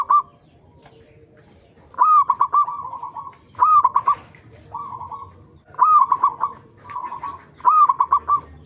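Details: Lure song of a local zebra dove, used to set other zebra doves singing: a rising opening note followed by a rapid rolling trill of coos, phrases returning about every one and a half to two seconds.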